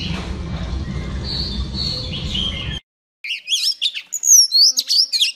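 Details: Female Oriental Magpie Robin song meant to stimulate males. Faint whistles over low hum give way, after a short silence, to a loud burst of sharp, varied, rapidly warbled chirps and whistles.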